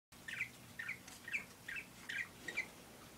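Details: Pet parakeet calling: short chirpy notes repeated about twice a second, each a quick bright burst, over a faint steady hum.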